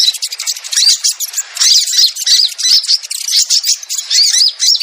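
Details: Lure recording of crimson sunbird meant to draw birds in, with thin, high, squeaky chirps and trills packed into overlapping bursts, with a short quieter start.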